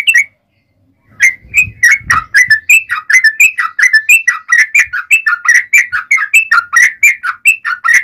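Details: Yellow-vented bulbul giving a long fighting song used as a lure to make other bulbuls answer: steady, rapid run of liquid bubbling notes without a break.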